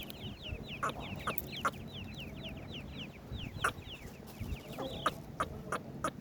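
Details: Clear series of partridge chick calls, each a high, quickly falling cheep repeated in rapid succession, with a few sharp clicks between.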